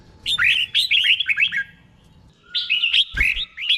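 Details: Red-whiskered bulbul giving doubled song, slow and clear, as a tutor for caged birds: a quick run of bright, warbling whistled notes, a pause, then the phrase repeated, with a faint knock.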